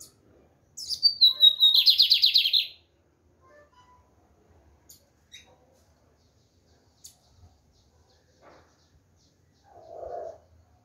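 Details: Firm song of a lined seedeater: a high whistled introduction slurring down into a pulsing, buzzy trill of roughly two seconds, followed by soft clicks and a short lower muffled sound near the end.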